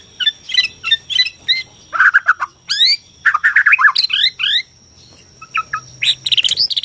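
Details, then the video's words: Borneo white-rumped shama song played to provoke shamas into singing and fighting: rapid varied phrases of sharp chirps, rising whistled sweeps and fast trills, broken by a brief pause before more high chattering notes. "KICAU BORNEO AMPUH BIKIN MURAI STRES SUSAH BUNYI AUTO FIGHTER NYAUT"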